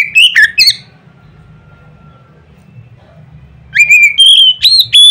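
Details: Oriental magpie-robin with loud notes that trigger other magpie-robins to sing: a few quick whistled slurs, a long near-silent gap, then a rising run of clear piercing whistles, over a faint low hum.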